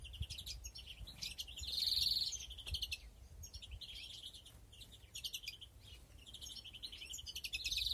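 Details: Breeding European greenfinches in an aviary, 2021, giving rapid high twittering bursts in repeated phrases, broken by a long nasal buzzing wheeze around the second second and another buzzy note at the end.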